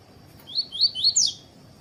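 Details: Double-collared seedeater singing a short tui tui phrase, with a female present for tournament training: three upward-sliding whistled notes followed by one loud, long, buzzy downslur, over a faint constant high tone.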